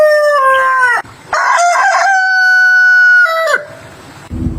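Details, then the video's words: Crow of a backyard rooster: a falling opening note, a short break, then a strong sustained harmonic tone held for about two seconds before sliding down, with a faint low rustle at the end. "Rooster crowing 🐓 sound effect"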